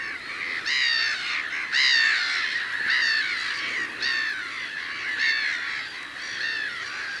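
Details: Black-headed gulls, very vocal and deafeningly loud in breeding colonies, give harsh, rasping, overlapping calls about once a second, a noisy chorus with no other clear sounds.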